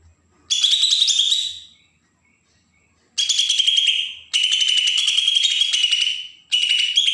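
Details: Bornean green leafbird, Kalimantan (Berau), singing besetan style as a lure for newly caught birds: long, buzzy, sharply pulsed runs of high notes lasting up to two seconds, with short breaks between.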